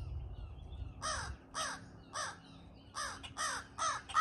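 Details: Morning feeding of two crows, very vocal. Seven rough, raspy caws: three spaced about half a second apart, a brief pause, then four more in a faster burst, with low background rumble.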